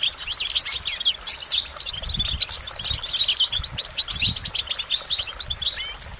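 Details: Goldfinch singing quick, varied phrases of high twitters, rolling trills and slurred notes, delivered in tight rapid sequence, with faint low thuds in the background.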